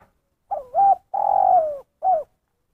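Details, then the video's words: Single 'kuk satu' phrase from a spotted dove. A low hooked double coo swells into a long, loud coo that slides downward, then ends with one brief kuk. No other sounds. "Suara Panggilan Terkukur Kuk Satu"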